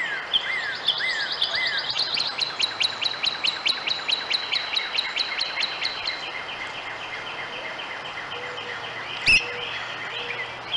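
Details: Two red-headed woodpeckers, one giving a fast series of harsh, ringing notes about two to three per second for six seconds. The series then fades into quieter scattered calls, with a sharp click near the end and other faint birds behind.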